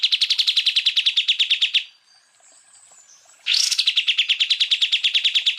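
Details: Greater green leafbird in machine-gun 'tembakan' song, recorded as training material for other birds: a fast train of bright, high, evenly spaced pulses, a pause of over a second, then a harsh burst leading back into the rapid pulsing.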